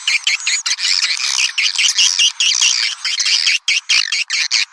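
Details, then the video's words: Attraction call for swiftlets: a loud, busy stream of high buzzy twittering and squeaky chirps, broken by brief silent gaps near the end. "Panggil burung walet suara panggil"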